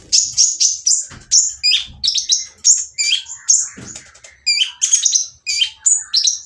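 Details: Brown-throated sunbird with a rough, noisy voice, used to provoke quiet birds into singing. Rapid bursts of high, harsh chirps and short buzzy notes, with some sliding down, about two per second and with short gaps. No other sounds.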